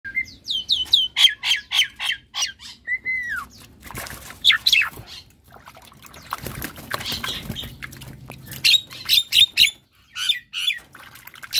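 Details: Caged white-eyed Javan myna singing while bathing, very vocal and restless: loud repeated whistled and harsh notes in rapid strings, some rising slurs, with splashing water and wing flaps between phrases.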